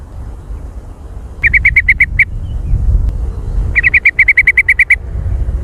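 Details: Jontrot-style trucukan, a yellow-vented bulbul, delivering two quick, loud bursts of evenly spaced chirps, about seven then eleven notes, each run rattling rapidly, with low rumble behind.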